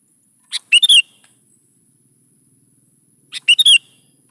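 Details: Sooty-headed bulbul singing, meant to coax young birds into replying: two bright, chattering phrases about three seconds apart, each a quick burst of four or five sharp notes with slurred whistles, in otherwise silent surroundings.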